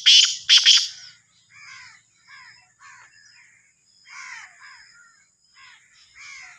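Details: Black francolin, called Sindhi kala teetar or Sahiwal teetar: two loud, harsh, grating bursts open the clip, followed by softer, repeated, downslurred chirping phrases spaced about a second apart over a faint steady high hum.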